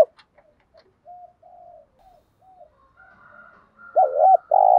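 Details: Spotted dove (cu gáy) kept as a decoy to make wild doves call. Soft, distant low coos at first give way to a loud, dipping coo and then a long, sustained hoot at the end.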